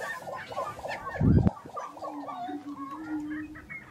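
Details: Grouse displaying at a lek in Colorado in April 2023: a rapid run of short, hoarse, chevron-shaped clucking notes, with a steady low hum beneath and a brief loud low thump near the middle.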